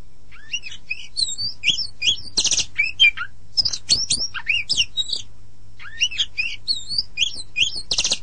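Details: Oriental magpie-robin (kacer) in full song: rapid varied whistled phrases with sweeping slurs and chattering notes, punctuated by dense harsh buzzy bursts, delivered in two long sequences separated by a short gap.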